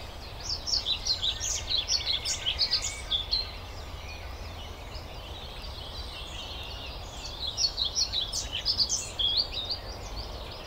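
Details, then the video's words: European pied flycatcher singing: two bursts of quick, high, varied phrases, the first about three seconds long and the second about two, separated by a quiet gap, over faint low rumble. "European Pied Flycatcher singing"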